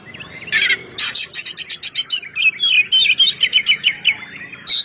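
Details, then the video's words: Kacer song in ngeplong style, meant for luring and prompting other birds to sing: a scratchy opening, then rapid repeated chattering notes, then a quick series of bright whistled phrases, loud and close. "suara Kacer ngeplong"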